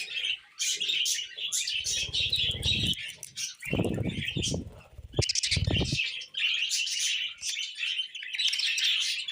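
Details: Budgerigar chatter of rapid high chirps and twitters, broken by bursts of low fluttering wingbeats and rustling in the first half, then steady warbling toward the end.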